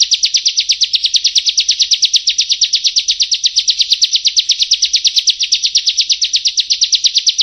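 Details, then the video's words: Prinia song used to lure wild prinias in rice fields: a fast, unbroken run of high, buzzy chipping notes, about six each second, steady in pitch and loudness from start to finish, with nothing else heard. "Suara Burung Perenjak"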